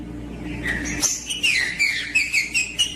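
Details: Green-winged saltator singing in the aggressive male style, played to warm up other birds: after a low hum, a run of clear whistled notes rises and falls, then short repeated whistles about twice a second.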